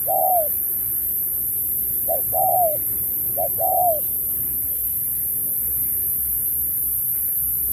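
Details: Spotted dove in a 2024 singing contest bout, using the Thúc kèm Bo song style. One long arched coo opens, followed by two phrases of a brief lead note plus a drawn-out falling coo. Quiet hiss fills the remaining seconds.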